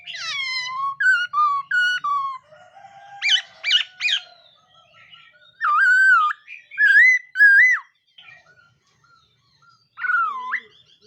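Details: A black-throated laughingthrush sings during morning voice practice, mixing bold wavering whistles, buzzy bursts and slurred dipping notes separated by brief pauses.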